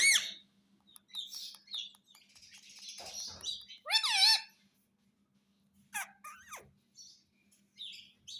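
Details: Talking pet parrot: scratchy chattering and breathy noises, then a loud bending squawk, after which sharp downward-sweeping whistles and short chirps follow. A low background hum is present.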